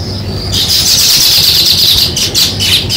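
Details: Sparrows chirp together in a busy, high chatter that starts after a brief thin tone and continues in tight overlapping bursts to the end.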